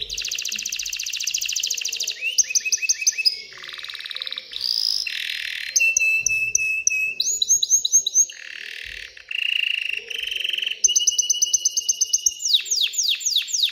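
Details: Excited canary song to spur females to mate and build a nest, a long varied string of tours: rapid trills, looping repeated notes, a flat whistle and descending sweeps, all crisp and loud.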